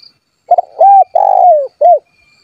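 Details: Vigorously calling spotted dove challenging rivals so they respond: a clipped double note, then a smooth coo, a long coo falling in pitch at its end, and a brief closing coo, all in a quiet setting.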